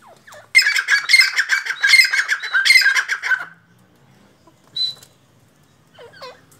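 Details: Black francolin (kala or Sindhi teetar) calling loudly: a three-second run of harsh, rasping, closely pulsed notes, followed by quiet with faint, thin, downslurred notes from another bird and a short, distant burst.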